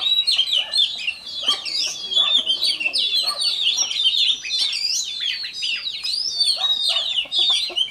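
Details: Morning voice-training song of a newly caught Oriental magpie-robin: an energetic, unbroken torrent of clear whistled notes mixed with harsh scratchy chips, the phrases tumbling quickly one after another.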